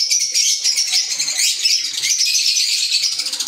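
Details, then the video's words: Pet green Fischer's lovebirds in continuous high, shrill chatter, many overlapping squeaky twitters forming an unbroken buzzing din. "Fisher Love Birds Sound | African Lovebirds | Green Fisher Love birds Voice"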